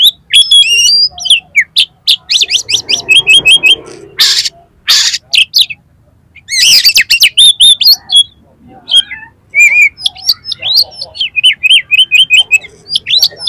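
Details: Oriental magpie-robin (kacer) song for prompting a kacer to sing and open its tail: long rich bursts of rapid, varied whistles and trills, broken by a couple of loud harsh rasping notes, then repeated quick chirp series.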